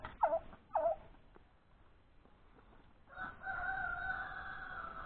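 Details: Rooster kept alongside turkeys. Two short clucking notes are followed by a pause, then a long, steady, even-pitched crow that runs to the end and sounds cut off.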